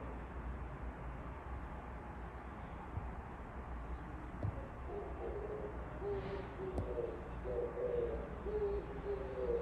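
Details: Oriental turtle dove singing beyond a window: the first half holds only low hum, then soft, deep coos in grouped phrases arrive in the second half, with a faint brief whoosh partway through.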